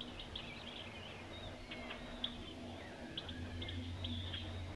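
Italian sparrows give short, bright chirps in an irregular, chattering stream, several birds overlapping, over a steady low rumble of distant traffic.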